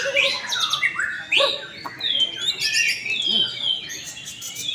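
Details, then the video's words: White-rumped shama at a trial singing contest, placing first, pouring out quick whistles, chirps and slurred rising notes in dense bursts, with other competing birds and faint voices behind. "LOMBA BURUNG | Murai Batu"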